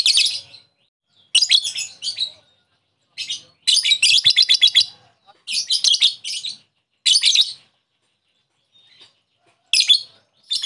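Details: A lovebird bait recording meant to draw a rival lovebird into ngekek calling: bursts of shrill, grating chirps, one fast run of evenly repeated notes near the middle, gaps of silence between phrases.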